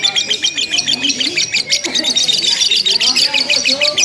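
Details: Lovebird chattering without pause in a simulated contest: fast, sharp high notes pulsing roughly three times a second, several birds overlapping in a busy chorus.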